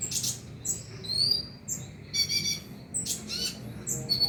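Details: Van Hasselt's sunbird lure recording for prompting a caged bird to sing at night; sharp high chips, thin upslurred whistles and a buzzy ringing trill at mid-clip, over a soft low hum.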